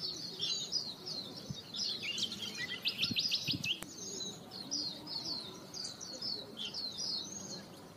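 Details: Yellow-rumped flycatcher at Bogor giving high, thin chirps and short twittering phrases, with a brief rapid series of clicks in the middle, over steady background hiss.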